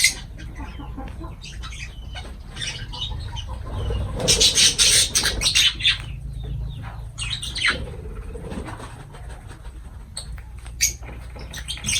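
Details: Feeding lovebirds chatter in a run of rapid, high squeaky notes, rising to a loud, harsh noisy burst of squawking for about two seconds before settling back to scattered chirps.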